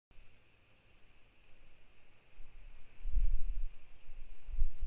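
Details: A quiet hum is broken by a few dull low thumps later on, and no animal calls occur.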